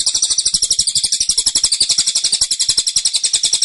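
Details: Tembakan of a caged cililin: a continuous, tight burst of sharp, high-pitched chattering notes delivered rapidly and insistently from start to end.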